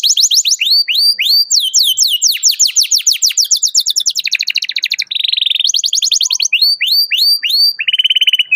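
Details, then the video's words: Canary singing loudly to provoke a rival, used as a lure for young canaries learning to sing: fast series of high downswept whistles, then rapid buzzy trills and rolling phrases, continuous throughout with no other sounds. "KENARI GACOR CUIT CUIT MEMANGGIL LAWAN BIKIN EMOSI"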